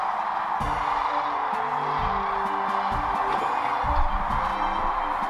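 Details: Music with sustained instrumental tones and voices plays throughout, with no animal calls heard.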